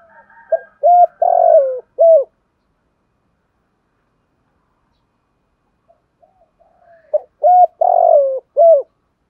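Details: Spotted dove giving the urging coo style (thúc gù): two low, hoarse phrases about six seconds apart, each a short lead note followed by two longer throaty coos and a clipped final note, with near silence between phrases.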